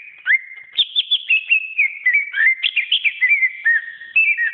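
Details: Greater green leafbird song used as a tutor recording: a rising whistle, then a continuous, busy run of warbled, slurred whistled notes that rise and fall in quick succession.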